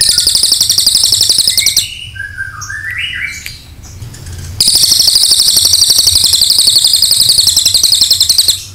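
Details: Cililin tutor song, long 'nembak' style: a hard, high rattling trill, then a gap filled with softer falling and rising whistles, then the rapid buzzy rattle resumes steadily to the end.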